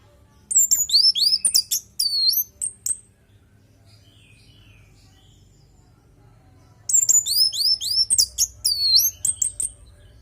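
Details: Orange-headed thrush in natural song, played so other birds reply: very high, rapid downward-sweeping whistled notes in tumbling sequences, a near-silent pause of about four seconds, then another long high run.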